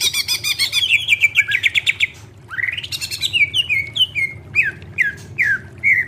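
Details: Cage-bird training song of the greater green leafbird: a dense rapid trill of repeated notes, then a rising sweep and a string of falling whistled slurs spaced about half a second apart, low hum behind.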